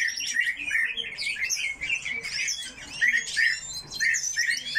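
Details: Several coal tits kept in an aviary give dense, overlapping high chirps and twittering notes, with short thin rising whistles scattered through and no pauses longer than a moment.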